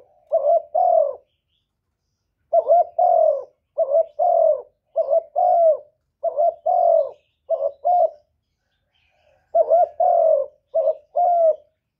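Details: Spotted dove decoy bird cooing in a contest with a wild dove: low mellow coos in quick pairs and triplets, about a dozen notes in bursts separated by short silences, a longer gap near the middle; no other sounds.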